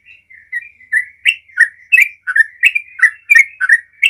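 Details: Sooty-headed bulbul in rapid 'ropel' song used to set other bulbuls singing; quiet start building into loud chirping whistles, about three a second, some rising and some falling, with a faint steady tone behind.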